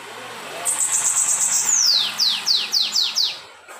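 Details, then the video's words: Captive lined seedeater wearing a red leg ring, singing the whistled 'assobio com belga' style: a long high wavering whistle that slides downward, then about six sharp descending notes in quick succession. "sibite anilha vermelha na cantoria assobio com belga"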